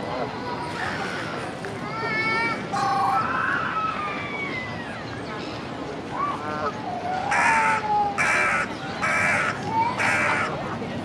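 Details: Carrion crow giving harsh, hoarse caws, four in quick succession near the end, likely the loud head-raised 'notice call' used to greet or summon other crows; softer, almost melodious croaking notes before them of unknown meaning, with faint sounds including a toddler.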